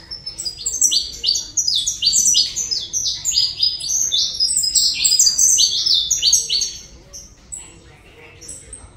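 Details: Saffron finch from Colombia singing a fast, continuous run of high, sharp downslurred chirps and buzzy notes, packed densely for about seven seconds before fading to quiet.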